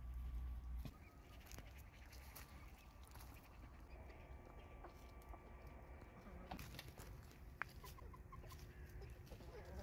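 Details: Free-roaming domestic turkey hens and toms on 25 December 2022 give soft, scattered clucks and calls over a low outdoor rumble.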